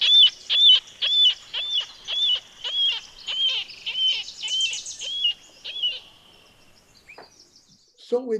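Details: Near the Carbon River at Mount Rainier, a Marbled Murrelet gives about eleven high, arched keer calls, nearly two per second, before fading out. Surveyors listen for this call, which resembles a common nighthawk's. A faint low sound follows.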